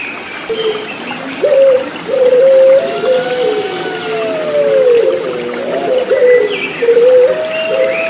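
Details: Puter Pelung turtle dove cooing: brief notes, then a long smooth tone sliding gently downward, followed by more short coos, with murmuring water heard throughout.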